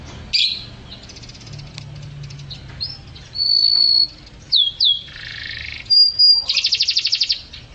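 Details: Energetic canary song used to train other songbirds: a varied phrase of buzzy bursts, sharp downslurred whistles, a steady high note and a fast pulsing trill at the end.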